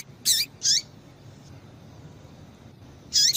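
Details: Female double-collared seedeater giving calls that excite males: a pair of brief, bright chirps close together, a long pause, then another high chirp, against faint background hiss.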